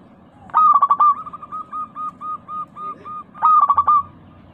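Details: Local zebra dove song, meant to trigger singing in caged doves. A loud fluttering coo burst opens, followed by a long even series of softer coos, then another loud stuttered phrase near the end.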